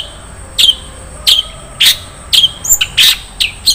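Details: Long-tailed shrike in the rich filled song style known as isian mewah: loud sharp chips and short squeaky notes in an uneven series, roughly two per second.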